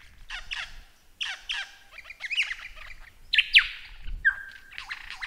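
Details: Lyrebird song of harsh paired squawks and scratchy phrases, a bright grating note, then a level whistle leading into more rasping calls.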